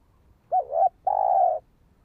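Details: Spotted dove (cu gáy) used in luring and training a decoy bird: a short broken coo followed by a long steady coo, low and mellow, with a clean quiet background.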